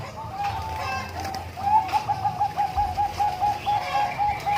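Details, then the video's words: Bangkok-type zebra dove (perkutut) singing during umbaran: after a few short coos, a long run of rapid, evenly spaced mellow cooing notes at steady pitch, each a brief trill, over a low rural hum. "Suara Burung Perkutut Bangkok Di Umbaran"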